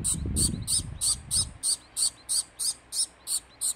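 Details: Fawn society finch baby begging while being hand-fed: rapid, steady series of high, buzzy double-toned notes, about three per second, with low handling rumble in the first half.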